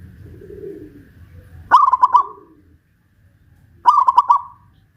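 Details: Zebra dove, local Pajajaran type, Kuningan, West Java, caged and hoisted high, calling often. Two phrases about two seconds apart, each a sharp note plus four quick trilled coos, with soft low sounds before.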